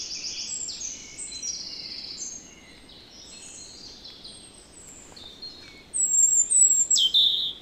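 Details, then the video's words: Netherlands recording of a European robin: soft, high, drawn-out notes at first, then after a lull a louder run of sharp, high twittering notes repeated rapidly near the end. "One Hour Relaxing Birdsong: European Robin"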